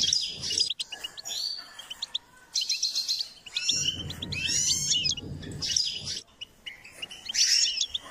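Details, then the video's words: Goldfinch song with repeated bursts of bright tinkling twitters and trills, separated by short gaps, plus sharp clicks and a low background hum through the middle. "Step by step enhancing the goldfinch’s singing"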